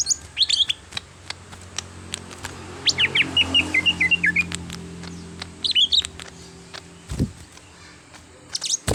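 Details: Greater green leafbird (cucak hijau), a raw bird trained toward full singing: scattered sharp high chirps, a rapid twittering run near the middle, then a brief thump and a few more notes over steady low background noise.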